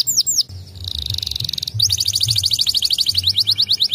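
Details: Song of white canaries: a few swept whistles, a dense buzzing trill, then a long series of rapid descending whistled notes, with a steady low hum underneath.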